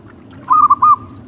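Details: Local wild zebra dove heard by the beach: a clear, mellow, whistled coo of three quick linked notes on a nearly level pitch, over a soft low background rumble.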